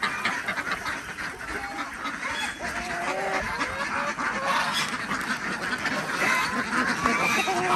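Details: Desi ducks quack as eggs are collected in the morning on a village farm in Andhra Pradesh; many birds overlap in a dense, buzzy chorus that grows louder toward the end.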